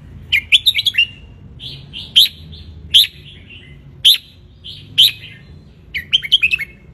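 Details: Red-whiskered bulbul of wild Ratchaburi lineage basking in sunlight, recorded for teaching young birds. Lively warbled phrases open and close the passage, with single clear chirps roughly every second in between.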